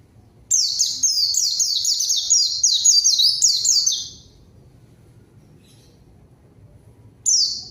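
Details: White-eye singing as a rival-calling lure to make silent birds sing; one sustained run of about three and a half seconds of high, rapid, downward-sweeping notes, then silence before a new burst.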